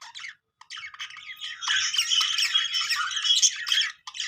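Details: Pet budgies chirp briefly, fall silent for a moment, then break into a long, continuous, scratchy warble of mixed clicks and squeaky notes.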